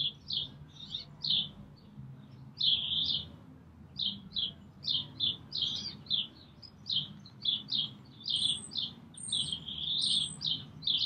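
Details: Brambling calling and singing at Green Moor on 24 March 2019: a steady stream of short, high chirps, two or three a second, joined near the end by thin, higher notes over a faint low rumble.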